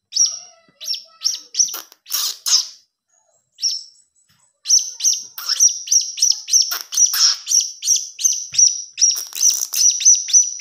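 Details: Blue-crowned hanging parrot chick giving thin, high, sharp chirps, short bursts at first, then a dense run of rapid repeated squeaky notes after a brief pause; recording used as a lure sound.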